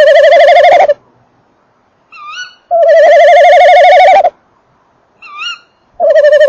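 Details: Tawny owl male at and entering a nest box at 19:48, 28 December 2013, the female calling farther off: three loud quavering drawn-out notes about a second and a half long, separated by short rising upslurred notes.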